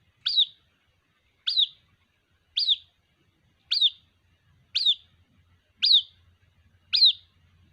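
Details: Calling for its mother, a white-breasted waterhen chick gives seven crisp, high, down-sliding chirps at a regular pace of about one per second.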